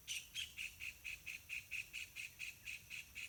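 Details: Yellow-vented bulbuls, parents bringing wild fruits and insects to two hungry chicks in a pineapple garden: a steady run of short, sharp, high notes, roughly four per second, loud and evenly spaced throughout.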